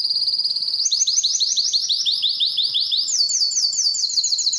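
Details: Belgian canary singing to attract and excite females for breeding: rapid high trills of repeated sliding notes, switching to a faster, higher roll after about three seconds, then another shift, steady and loud throughout.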